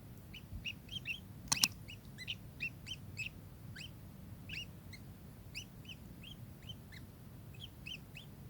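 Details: A kingfisher utters a long string of short, sharp chirps, interrupted early by one loud click, over a low background hum.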